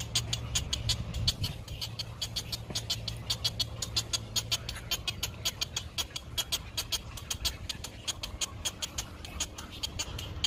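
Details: Great egret chick at the nest on a sunny day, begging while it waits for its mother to bring food: a fast, insistent series of dry clicking notes, about two per second, with a low hum underneath.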